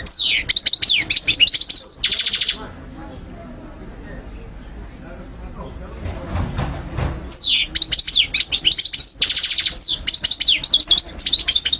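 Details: Goldfinch song meant for teaching birds to sing: about two seconds of dense twittering and buzzy trills, then near silence with faint background noise, before another long burst of high, rapid, tinkling phrases.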